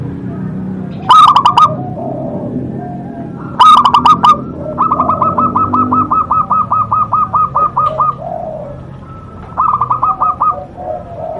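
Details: Zebra dove, a local songster with a big voice: two loud quick bursts of ringing coos, then a long even run of softer repeated clipped notes and a final short burst.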